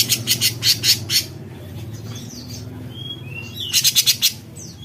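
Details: Cucak cungkok bulbul giving lively besetan-style calls: two bursts of rapid, harsh, buzzy rasping notes, about five strokes each, separated by a quieter gap with faint thin whistles, over a steady low hum.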